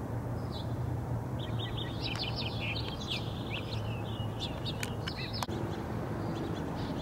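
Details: Purple-throated Carib, recorded 18 June 2015, giving thin, high chips and short twittering notes in loose bursts over a steady low rumble of background noise.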